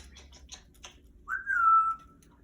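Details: Captive 35-year-old female Congo African grey parrot kept as a pet indoors: after a few soft clicks and ticks, a single clear whistle slides up quickly, then holds level and fades over about a second.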